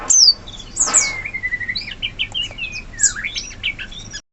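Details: Wild sooty-headed bulbul in forest, recorded as a master song for training birds: a quick run of high, sharp chirps and slurred whistles that sweep downward, with bright accented notes at the start, near one second and again around three seconds.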